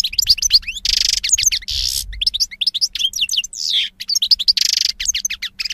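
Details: Song of a European goldfinch, 2016: dense, energetic twittering mixing sharp chips, rising whistles and harsh buzzy bursts, delivered almost continuously with only brief breaks, over a faint low background rumble.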